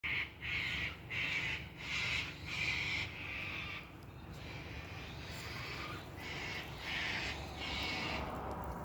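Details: Wild cockatoos screech in harsh, raucous bursts, roughly one or two each second, over a steady low rumble, heard in winter while cherry tomatoes are picked.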